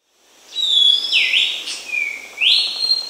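A Varzea Schiffornis sings long, pure whistles: a high held note that slurs downward, a lower sustained tone, then a quick upslur back to a high held note. Background is quiet.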